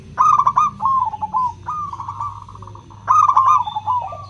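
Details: Local zebra dove singing in the prized crystal style, a lure for hesitant doves: two rolling trilled coo phrases, each trailing into a long steady ringing note, low hum in the background.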